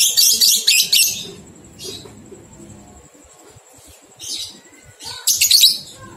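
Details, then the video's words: Ngekek song of a lovebird, played to stimulate two-month-old young birds to sing. A long rasping chatter burst opens, then shorter bursts follow after pauses, with a thin steady whine in the background. "Masteran Lovebird Paud 123 Ketukan Terbukti Ampuh Merangsang balibu 2 bulan Ikut Ngekek"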